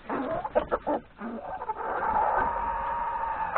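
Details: A flock of chickens with hens and three roosters breakfasting in the yard before forest grazing; short clucks at first, then a long sustained drawn call over the flock's murmur.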